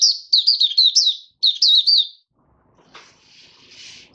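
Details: Caged oriental white-eye, fifth day after its monthly deworming, singing two rapid bursts of high twittering, slurred notes, followed by a soft hiss and faint rustle.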